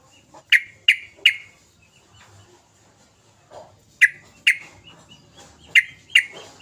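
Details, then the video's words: Sooty-headed bulbul calling energetically, played as a lure to spark song: sharp, bright chirped notes in groups of two or three, the groups several seconds apart, with quieter chatter between. "Kicau trucukan gacor"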